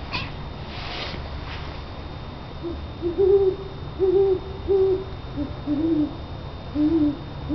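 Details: Great horned owls outside a house trade low, soft hoots, about eight short notes over five seconds in an uneven rhythm, over a faint background hiss.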